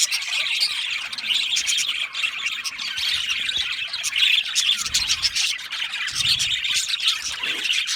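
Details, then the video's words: Aviary budgies in full chorus, a loud, unbroken mass of scratchy squawks and shrill chirps overlapping throughout. "Australian Budgie parrot chirping sounds"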